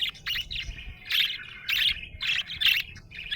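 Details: Happy budgerigar chirps in distinct bursts, about six squeaky chattering phrases each roughly a quarter second long, separated by short pauses.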